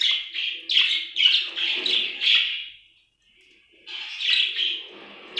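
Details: Budgerigar in a happy mood chirps in a rapid string of scratchy warbled notes, goes quiet for nearly a second, then resumes its busy chattering.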